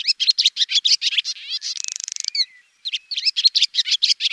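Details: Swallow chattering in rapid high notes, then a drawn-out buzzy rattle, a brief gap, and a return to quick twittering.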